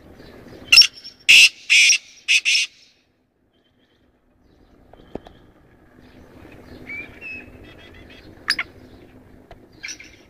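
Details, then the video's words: Black francolin giving a burst of four loud, harsh, grating notes in quick succession, followed by silence and some faint distant chirps and rustling. "Kala teetar"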